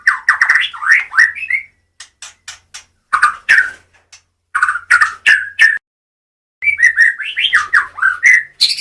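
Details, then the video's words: White-rumped shama of the Medan type singing bursts of fluty, slurred whistles and sharp clicks separated by short silences, with a faint low hum. "kicau murai medan"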